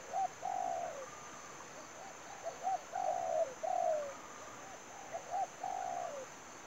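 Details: A spotted dove used in dove trapping gives soft, low coos in three phrases, each a short note and then a longer coo that slides downward, over a steady high hiss.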